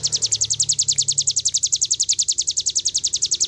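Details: Cigun bird delivering a steady, very rapid series of high, downward-slurred whistled notes, about seven per second, in 'nembak' style for tutoring other birds, over a soft low background hum.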